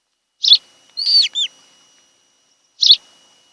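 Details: Osprey at its nest on Kent Island, Maryland, in July: two harsh, clipped chirps framing a slurred, downward-bending whistled call.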